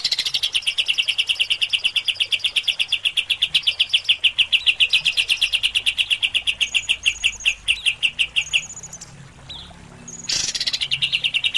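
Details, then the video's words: A greater green leafbird (cucak ijo), in a harsh "tembakan" training recording for songbirds, gives a fast, rattling volley of high, sharp notes, about six a second, for eight seconds, pauses briefly, then bursts in again. "Tembakan Dasyat kapas tembak VS cucak ijo"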